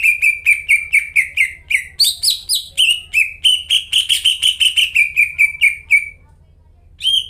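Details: Lure song of a strongly singing greater green leafbird for birds that have gone quiet: quick strings of clear, dropping whistles, briefly rising into brighter, higher notes mid-phrase, then easing downward before a short silence and one final note.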